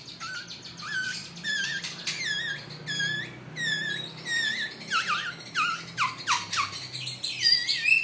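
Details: Captive-bred white-rumped shama of the Trah Jawara line giving long song bursts. Squeaky notes, each dropping sharply in pitch, repeat in quick uneven groups against a low hum.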